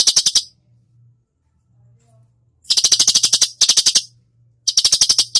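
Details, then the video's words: Masteran recording of a cucak cungkok in 'tembakan' style. A short rattle is followed by a long pause, then three loud volleys of rapid, harsh clicking notes. Faint low hum in the background. "masteran cucak cungkok gacor full tembakan"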